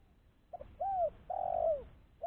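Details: Spotted dove used as a lure bird for trapping other doves, giving a clean call: a short soft note, a rising-falling coo, then a long drawn-out coo that slides down at the end, with a quiet background.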